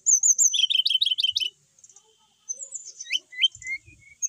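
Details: Caged brown-chested jungle flycatcher from Bali, a settled bird that keeps singing energetically, gives a fast run of high trilled notes, then clear whistled slurs that drop and rise in pitch, with brief pauses between phrases.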